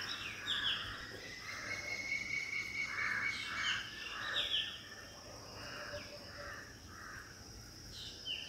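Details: Black drongo near a home birdbath, filmed by phone: varied calls mixing downslurred whistles, a thin drawn-out note and rounded repeated chirps, with other birds calling faintly and a constant background hiss.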